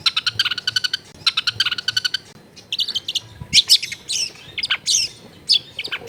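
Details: Energetic long-tailed shrike song rich in borrowed phrases, recorded at home in a busy residential area: two fast scratchy rattles followed by varied, sharp whistled and chirping notes at shifting pitches.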